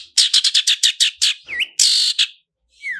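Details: Long-tailed shrike lure recording, roll speed and roll tembak song: a fast series of about eight harsh rasping notes, one twisted whistle, a long loud buzz, then a short descending whistle.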